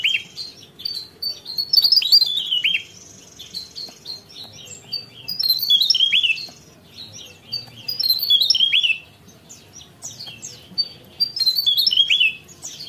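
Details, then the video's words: Lively Javan tesia song: recurring bursts of quick, high chirps ending in descending whistled slurs, each phrase roughly two seconds long with quieter pauses between. "Tesia Jawa Gacor Ngerol"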